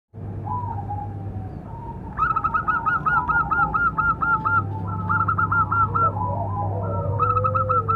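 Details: Local zebra dove with a big voice, calling to train and provoke other doves; fast runs of short clipped coos repeated in long trains, with other softer cooing and a steady low hum behind.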